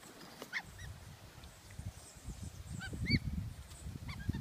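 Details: West Indian whistling ducks feeding on bread at Galley Bay, Antigua; thin arched whistles repeated at intervals, with low rumbling noise and splashing underneath.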